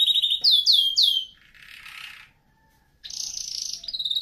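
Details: Canary singing for song training, red factor: a quick run of high trilled notes and descending swoops, a soft rasping segment, a brief pause, then a bright fast buzzy trill.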